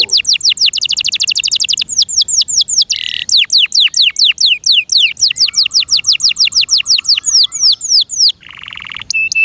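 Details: A kept pet canary pours out a fast high trill, then a long series of quick downward-slurred whistles, broken by short nasal buzzy bursts, with a faint low held tone running beneath.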